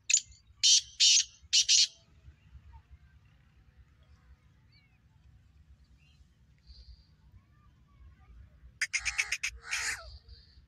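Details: Black francolin readied for its season calls with three loud, harsh, buzzy notes at the start. A long quiet gap follows, then a fresh burst of scratchy grating notes near the end.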